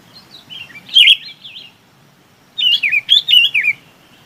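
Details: Chinese babax calling the flock with wavering, up-and-down whistled notes in two phrases, the second a run of about five rapid zigzagging whistles.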